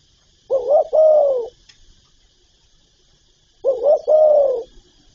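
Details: Two identical low spotted dove phrases about three seconds apart, each a stuttering double note then a long mellow falling coo, from a full calling, urging and cooing repertoire; faint steady hiss behind.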